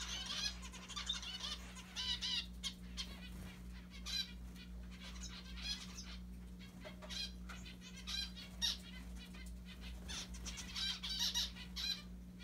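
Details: Several pet mandarin zebra finches picking at a Santa Claus hat give frequent short nasal, buzzy calls in quick bursts, with wing flutters and a steady low electrical hum throughout.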